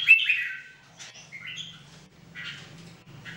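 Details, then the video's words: During daily 2018 song training of three red-whiskered bulbuls, a loud whistled phrase opens, followed by softer scattered chirps and short warbled notes, with a faint low hum throughout. "Training Jambul birds singing everyday 2018"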